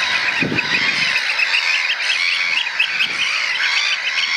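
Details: Three young Eurasian oystercatchers piping in a huddle, an adult occasionally walking in among them; shrill rapid notes repeated in a dense overlapping stream, a low thud near the start.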